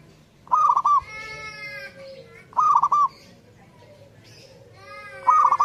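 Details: Perkutut, the zebra dove, singing steadily: three loud bursts of quick, trilled coos spaced about two seconds apart, each trailing into fainter, level cooing notes; faint low background noise.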